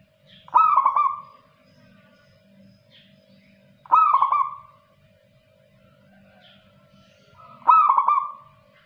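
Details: Local zebra dove singing actively: a soft stuttering cooing phrase, a quick burst of clipped notes that trails off, repeated about every three and a half seconds, three times, with a faint low hum beneath.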